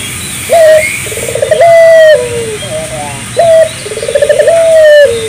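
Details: Spotted dove cooing to stimulate nearby doves to sing. Two phrases, each a crisp first coo followed by a quick rattle of soft notes and a sustained note that slides downward.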